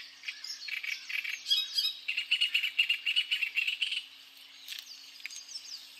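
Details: Great reed warbler singing: a run of harsh, grating notes repeated several times a second, growing louder in the middle of the phrase and then trailing off into softer chattering.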